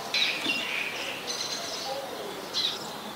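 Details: Scarlet-backed flowerpecker recorded in Ubon Ratchathani, Thailand, on 15 March 2021 with a Nikon P1000. Thin, high, sharp notes come at the start, a fainter high buzzy band follows, and another brief sharp note sounds near the end over steady background hiss.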